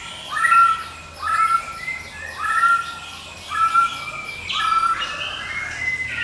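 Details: White-rumped shama of the Medan type in unbroken ngekek song, used as a lure and for training: clear whistled phrases with rising starts repeat about every second, then a brief, louder, rougher burst.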